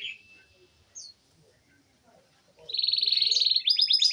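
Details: Canary song played as daily training audio for a canary that will not sing: faint scattered high notes, then a loud, rapid, buzzy trill of closely repeated notes, ending in a faster stuttering series.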